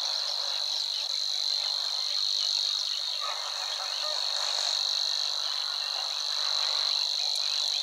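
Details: Savi's Warbler singing in marsh near the Weerribben at Wetering West, Overijssel, 6–7 May 2022; a continuous high insect-like trill runs without pause while softer chirping notes of other birds flicker underneath.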